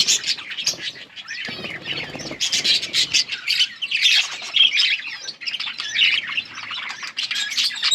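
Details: Chattering yellow budgerigars from a 21 August 2024 recording: busy overlapping chirps, raspy squawks and warbled notes, with a brief lower rustling patch early on.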